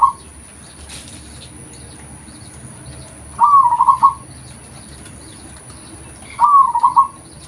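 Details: Local zebra dove in natural voice, suited for luring: two bubbling, trilled coo phrases three seconds apart, each slightly falling, with faint steady hum and a soft knock early on.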